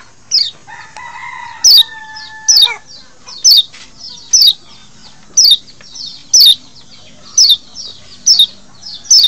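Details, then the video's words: Lombok white-eye lure recording, played to draw in and arouse wild birds: sharp high descending notes repeated about once a second. A lower, steady harmonic whistle sounds near the start. "masteran untuk mancing birahi burung kecial di alam liar"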